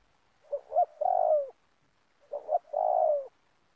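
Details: Spotted dove cooing in oil palm plantation country during bird-luring for trapping. Two clear phrases are separated by a short silence, each with two brief soft notes and then a long mellow coo that drops in pitch.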